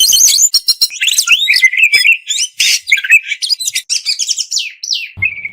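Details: Oriental magpie-robin tutor recording of full fill-ins and shots. It is a continuous, dense torrent of warbles, trills and sliding whistles with hardly a pause, ending on a steady whistled note.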